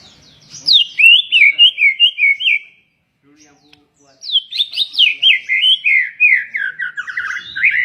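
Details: White-rumped shama song: a fast run of looping whistled notes, about four per second, a pause of over a second, then a longer rippling series of bright swooping whistles.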